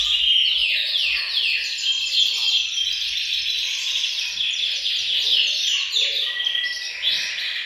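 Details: Group of canaries singing in a bird room, a chorus meant to spur males into song and prepare females; overlapping fast descending trills and buzzy rolls, steady and unbroken, with a brief low chirp near the end.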